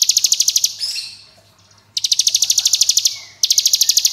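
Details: Bar-winged prinia (ciblek gunung) singing its long-lasting, rapid-fire 'ngebren' style. It gives fast, dry, buzzy high trills of evenly repeated pulses in three bursts, with a brief squeaky twitter between the first two.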